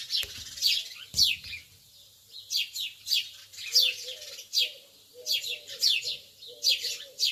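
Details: Lovebirds in the early morning give shrill, high, downward-sweeping chirps every half second or so, with soft low twittering notes underneath.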